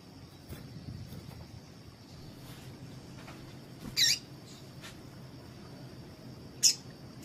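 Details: Sparse calling by a female double-collared seedeater, whose call serves to get males singing: two sharp, high, scratchy notes several seconds apart amid low hiss and a thin continuous high tone.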